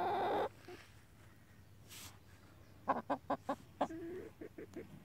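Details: Chickens foraging for fly larvae, worms and other bugs while turning over horse manure; a brief loud squawk opens, then a quick run of about eight short, low clucks within two seconds, over quiet background.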